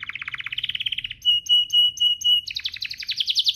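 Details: Canary song played as a lure to set other canaries singing vigorously: a fast buzzy trill of repeated notes, then a row of short pure whistled notes, ending in rising rapid sweeps.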